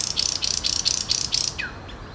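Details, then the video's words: Nightingale singing: a series of six harsh, buzzy rattling notes repeated about four times a second, high-pitched, ending with a short downward-sweeping whistle. "Сейчас самые соловьи..."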